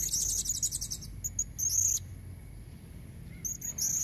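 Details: Shrill, thin squeaks from a female blue-crowned hanging parrot, given to draw in red-necked males. A rapid buzzy burst opens, then scattered high notes, a quiet gap, and more squeaks at the end.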